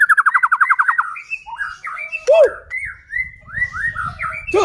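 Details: White-rumped shama singing to provoke other shamas: opens with a quick rhythmic trill of repeated notes, followed by slurred whistles, one loud arching squeak and several upward-swept whistled phrases.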